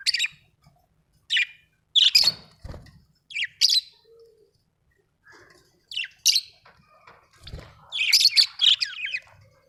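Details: Budgie chirping: short squawky chirps and harsh squeaks in separate bursts about a second apart, with quiet gaps and a few soft low knocks in between.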